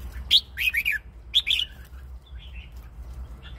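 A red-whiskered bulbul gives two quick bursts of bright, bubbly whistled notes, followed by softer warbled phrases, over a low steady hum.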